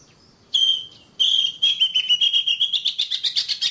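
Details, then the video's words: Oriental magpie-robin (kacer) masteran song for training caged birds: two long flat whistles, then a rapid series of about a dozen pulsed notes rising slightly in pitch. "Suara Kacer, masteran suara kacer biar rajin bunyi!"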